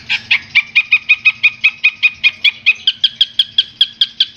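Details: Long-tailed shrike from Madura, Indonesia, recorded as a master song for training other songbirds: a steady series of short, harsh, clipped notes, about four to five per second, each with a sharp downward inflection, with faint low hum beneath.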